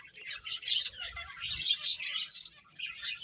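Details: Brief burst of finch chatter during play, quick high tweets rising in intensity toward the middle, then easing off.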